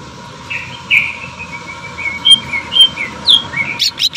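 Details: Greater green leafbird, sewing-machine-sound jamtrok song with tembakan. Quiet, spaced, high whistled notes slide and drift, some sharp upward flicks, ending in a few louder chips.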